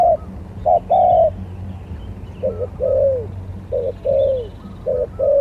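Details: Lure-contest spotted dove delivering repeated coo phrases, each a brief clipped note then a longer falling coo, about once a second, over a low steady background hum.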